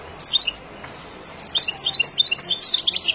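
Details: European goldfinch from the wild, its song played to teach chicks: a brief twitter, a short pause, then a busy flow of high, tinkling, rising and falling notes.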